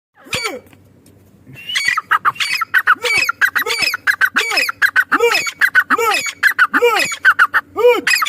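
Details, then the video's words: Female partridge calling: a rapid series of harsh, squawking notes with arched lower tones, repeated about seventy-five times a minute after a short opening call and pause. "madi teetar ki awaz-teetar sound"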